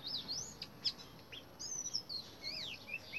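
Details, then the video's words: An Indian robin sings in a garden: a quick run of high, varied whistles and chirps, some rising and some falling, over soft background hiss. "Indian robin singing"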